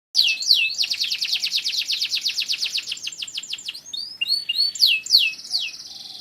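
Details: Canary kept in Indonesia, of stock descended from wild Canary Islands canaries, singing vigorously: fast rolling trills of high, bright notes, then sweeping whistled phrases and a sustained buzzy roll near the end.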